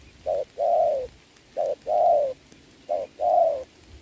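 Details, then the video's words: Spotted dove calling in the rain in a trapping contest between decoy and wild bird, 26 November 2022; three evenly spaced coos, short note then extended, softly descending note. "mưa mà e bổi gù tốt"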